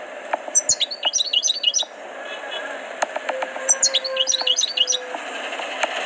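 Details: Tutored European goldfinch delivering two quick bursts of liquid, high twittering notes; faint voices and background noise continue after the phrases.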